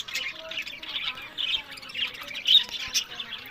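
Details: Pet budgerigars in Larkana, Sindh, in a short burst of scratchy squawks and warbled chirps, pulsing in and out over a busy chattering background.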